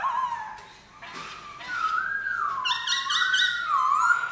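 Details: Black-throated laughingthrush song with a wavering, undulating whistle that swoops up and down repeatedly over a faint rustling background, growing louder toward the end.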